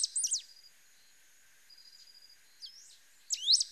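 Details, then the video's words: Pale-throated pampa-finch singing in short bursts of high, sharply slurred whistles at the start and end, separated by a long near-silent gap with a faint thin whistle and soft ticking. "CANTO DO RABO MOLE DA SERRA"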